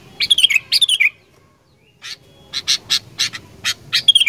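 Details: Sooty-headed bulbul singing to stimulate other bulbuls to sing: a quick run of rich, warbling, slightly descending phrases, a brief silence, then a rapid series of harsh, scratchy notes ending in one more warbled note.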